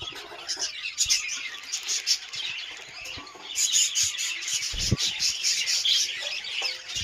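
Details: A captive colony of pet budgerigars chatters together, a steady wash of warbling chirps and scratchy squawks.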